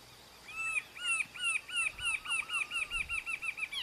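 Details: Lone Rufous-capped antshrike singing in Ceibas, Entre Ríos, 19/10/2019: a steady series of curved, downslurred whistles repeated rapidly, roughly four to five per second, accelerating slightly, over faint rural background.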